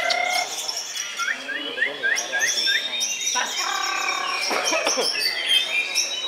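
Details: White-rumped shama (murai batu) in a Sidoarjo singing competition, runner-up in the main class on Sunday 21 January at Gantangan Puspa Agro; a quick series of about seven repeated upslurred whistles, then tumbling high chatter and ringing notes.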